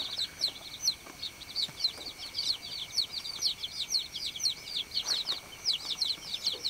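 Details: Baby chicks chirp continuously, many high, falling peeps layered over each other in an unbroken shrill chatter.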